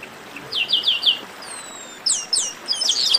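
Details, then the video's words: Chestnut-capped blackbird with a quick run of high chirps, a long thin descending whistle, then sharp downward-slurred notes and a dense burst of chirping. "Melhor Esquenta de Garibaldi"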